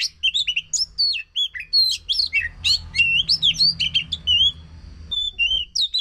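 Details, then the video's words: Oriental magpie-robin delivering loud, varied song used to encourage a silent bird to sing: quick whistles, upslurs and chattery notes run together, with soft background hiss through the middle. "Pancingan Ampuh untuk Kacer yang Macet Bunyi"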